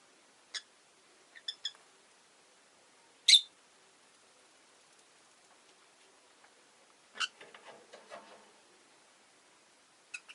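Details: Caged Rosy-faced lovebirds, five birds indoors beside a window, give scattered sharp, high chirps and one loud squawk, with a quick cluster of clicky notes near the end and otherwise quiet gaps.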